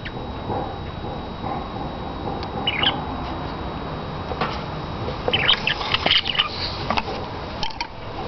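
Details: Budgerigar (Melopsittacus undulatus), chatter.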